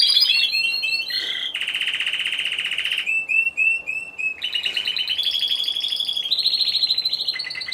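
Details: Timbrado Español canary at a singing contest, November 2015, individual category; varied song of fast trills, a long buzzy rolling tour, brief repeated upswept whistles and shifting higher rolls.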